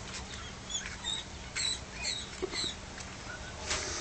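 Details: Week-old Reeves's pheasant chicks fighting at a pheasant nursery give thin, high, squeaky peeps in short scattered bursts over a steady low hum and faint rustling.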